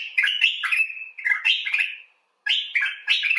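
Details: Common bulbul uttering rich, liquid warbled phrases, the notes sliding up and down and run together, with one short pause before a final phrase.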